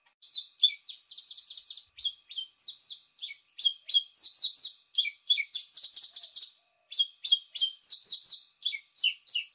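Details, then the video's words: Paddyfield pipit used as a lure: nearly continuous bursts of shrill, slightly buzzy chirps in tight runs, with short pauses between groups and a few thin higher notes above, clear and free of background noise. "Suara pikat ampuh burung apung"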